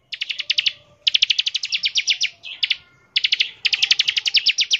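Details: Bar-winged prinia song in the fast 'ngebren' style, used to draw other prinias into song: long, very rapid high-pitched trilled strings of clipped notes, broken by three short gaps.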